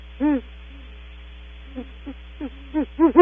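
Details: Great horned owls calling on leaving their nest cavity at Audubon Starr Ranch, one bird heard after the other: one strong hoot, scattered faint short notes, then a quickening run of louder hoots at the end, over low hum.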